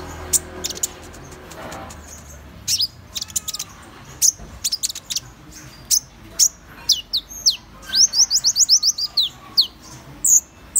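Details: Van Hasselt's sunbird delivering irregular high, thin ticks and slurred notes that build into a rapid run of rising chips near the end.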